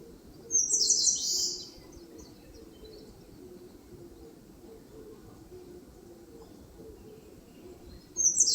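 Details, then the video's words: Eastern crowned warbler singing in forest on the slopes of Palbongsan, Seosan, Korea: a high, rapid phrase of thin trilled notes sliding into a falling buzzy ending, with a second phrase starting at the very end; faint low rumble beneath. "산솔새가 노래하는 숲! Eastern Crowned Warbler sings!"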